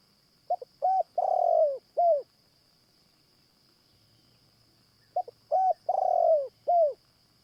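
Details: Spotted Dove cooing during a morning trapping session with a caged decoy dove used to attract wild doves: two clear phrases of short hoots then a long falling coo and a final falling note, about five seconds apart; faint steady insect whine.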